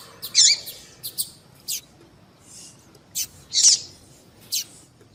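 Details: Female double-collared seedeater giving sharp high chirps spaced irregularly, two louder buzzy notes standing out among thin short ticks, in otherwise quiet surroundings.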